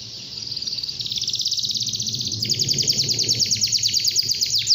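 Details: Morning song of a canary that sets other canaries singing: a soft high note building into rapid, rattling trills that grow louder and more pulsed toward the end.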